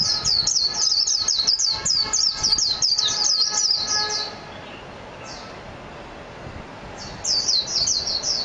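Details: Japanese white-eye (mejiro) pouring out a fast, continuous stream of high twittering notes for about four seconds, falling quiet, then resuming with another rapid burst near the end.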